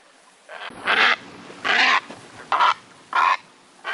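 A heron gives five harsh, rasping croaks, each under half a second, spaced about every two-thirds of a second against a quiet background.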